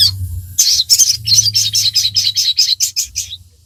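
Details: Sogon in full, lively song, played as training material to get captive birds singing: a fast, steady run of high, sharp chipping notes, about four per second for three seconds, over a low hum.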